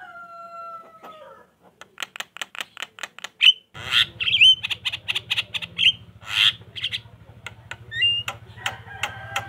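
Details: Javan myna (jalak kebo) lure song to draw answers from quiet mynas: a fast string of dry clicks, then loud squawks and whistles over a low electrical hum.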